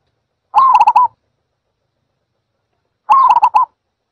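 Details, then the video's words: Two bursts of quick, stuttered soft cooing from a zebra dove, each a rapid cluster of notes lasting about half a second, separated by a long quiet pause. "សំលេងលលកដី Zebra Dove"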